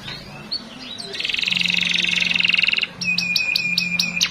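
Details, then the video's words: Canary lure song (pancingan) meant to prompt young canaries to learn singing: a dense buzzy trill held for over a second, then a quick series of sharp high chirps; a faint steady low hum runs underneath. "Kenari gacor pancingan bunyi"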